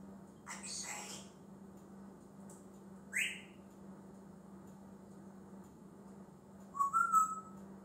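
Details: Pet male African grey parrot that talks and copies many noises: a breathy, rustling sound early on, then a quick upward-sweeping whistle and later a short wavering whistled phrase, over a steady low indoor hum.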